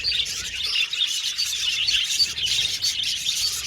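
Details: Aviary flock of budgerigars, said to be happy, chattering constantly with rapid high chirps, squeaky warbles and little clicking notes layered from many birds.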